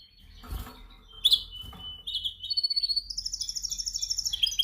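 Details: Canary singing during song training, practising its song indoors: soft broadband knocks at first, then high whistled notes followed by a fast, even trill of rapid repeated pulses that grows louder toward the end.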